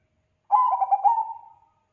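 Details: Single song phrase from a Bangkok-type zebra dove: about a second of quick, stuttered cooing notes running into one long, softening coo, with a clean quiet background.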